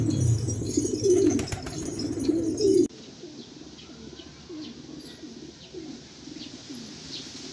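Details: Rare Australian pigeons: loud mingled cooing with rustling at first, then after a sharp cut many quieter, short curved coo notes from several birds in rapid succession.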